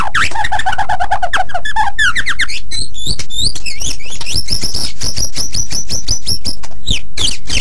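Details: Loud, continuous gacor song of a white-rumped shama used as a master recording for training birds. It opens with low rapid stuttering notes, then shifts to bright, high, evenly repeated chips and sweeping whistles.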